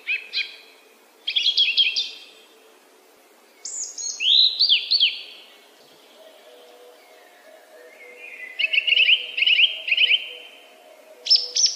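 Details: Song thrush in full song, delivering varied phrases separated by short pauses: rattling repeated notes, a high descending whistle, quick trilled bursts and a sharp final note, with a faint low hum behind.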